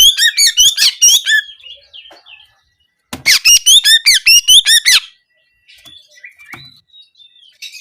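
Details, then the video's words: Oriental magpie-robin singing in nembak kenari style, canary-like bursts used to coax birds into singing for daily practice and contests: two runs of rapid, bright, rising chirps, about eight notes each, separated by a short pause. "Terapi Burung Kacer Agar Buka Paruh Gacor Harian Maupun Lomba Suara Nembak Kenari"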